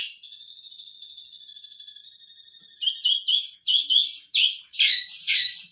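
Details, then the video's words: A long-tailed shrike sings Tengkek Buto material, opening with a thin, steady high trill that gives way to rapid, grating chattering phrases growing louder. "Cendet materi Tengkek Buto mewah"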